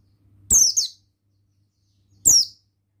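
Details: Oriental white-eye of the buxtoni form, a male, used as a lure to stimulate singing: two high, thin, downslurred chirps with a quick twitter, nearly two seconds apart, low hum in the background.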